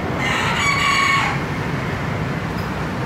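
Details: Green junglefowl crowing: a single short, hoarse two-part crow lasting about one second, followed by a steady low rumble of background noise.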